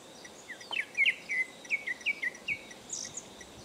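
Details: A Japanese thrush song that works in imitations of Japanese bush warbler and Japanese tit: a quick run of clear, slurred whistles, each falling or rising, about three per second, ending with a higher thin note over faint hiss.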